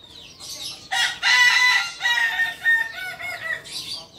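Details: Kukuak Balenggek chicken from Solok, West Sumatra, crowing in a chain of loud, pulsing segments. The voice swells and dips repeatedly over three seconds, with a faint chirp before and after.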